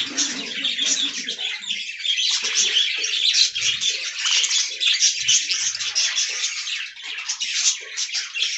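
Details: Budgies enjoying fresh greens produce a steady wash of high, scratchy warbling and chirping from many birds, with faint low knocks and shuffling in the background.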